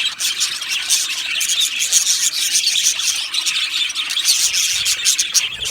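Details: Aviary full of Australian budgies, chattering busily: a dense, high, squeaky warble from numerous birds, continuous with small pulses of louder chirps and squeals.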